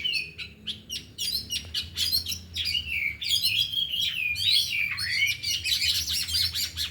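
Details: Four oriental magpie-robins at an afternoon training session, isian on display: sharp repeated chips and twitters building into loud swooping whistled phrases with dense overlapping notes in the second half.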